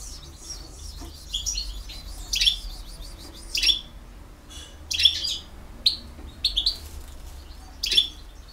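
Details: European goldfinch from BiH singing campero style: a series of short, sharp, bright chirps and twitters spaced about a second apart, over a low room hum.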